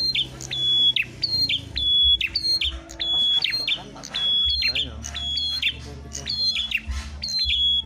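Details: Fighting Ashy tailorbirds (prenjak klawu) compete in song: steady high whistled notes, each snapping into a short falling flourish, repeated about fifty times a minute over murmured speech and a low hum.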